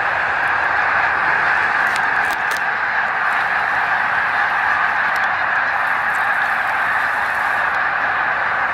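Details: Huge flock of snow geese in the sky above the St-François River at Drummondville, Quebec, November 2012, recorded on a Canon PowerShot SX40 HS; continuous massed honking, a wall of overlapping calls without pauses.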